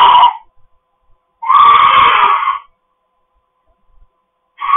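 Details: Pet cockatoo kept at home, giving loud, harsh, raspy screams: a sustained scream of about one second in the middle, with shorter clipped screeches at the start and end, separated by silence.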